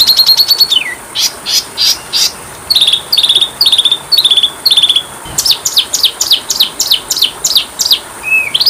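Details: Kacer (Oriental magpie-robin) training song full of fill-in phrases: a falling twittered run, a series of slurred whistles repeated about twice a second, then rapid sharp descending strokes and a final soft upward slur.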